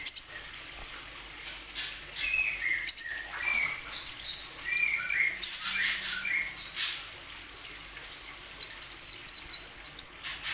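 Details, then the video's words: Plain sunbird, a bird kept to prompt other plain sunbirds that are reluctant to sing, giving high, thin chirps and upslurred whistles in quick irregular bursts, closing with a fast run of sharp repeated notes. "Kicau burung kolibri wulung"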